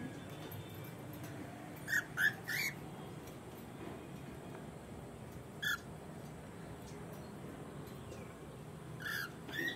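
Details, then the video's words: A breeding pair of cockatoos with a clutch in an aviary give short, harsh squawks in scattered bursts of two or three, with long pauses between, over a steady low hum. "nidada de cacatuas pareja reproductora"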